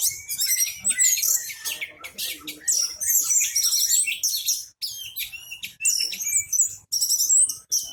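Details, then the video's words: Intent, loud orange-headed thrush song with tail spread, used to draw other birds into singing: choppy bursts of rapid high chirps and scratchy warbles, separated by short pauses. "Anis merah teler pules volume joss buka ekor pancingan burung yang lainya ikut bunyi"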